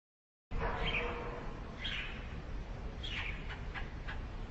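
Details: Sparrow parent bringing food to chicks in a nest built inside a hole in a brick house wall: a few scattered short chirps with a series of quick, sharp notes near the end over steady background noise.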